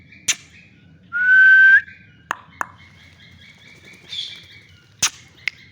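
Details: Green ringneck parrot, a new bird, opens with a click, then a loud upward-sliding whistle of over half a second, followed by scattered clicks and a softer buzzy note.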